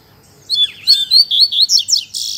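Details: Double-collared seedeater in fibra song: a dense run of high, ringing whistles and rising slurs, closing with a harsh buzzy burst. The setting is otherwise quiet.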